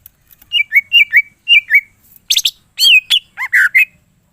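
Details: Greater green leafbird singing energetically with a full mimicked repertoire: paired down-slurred whistles repeated about twice a second, then a burst of bright, rising and falling chirps and squeaky notes, with no other sounds.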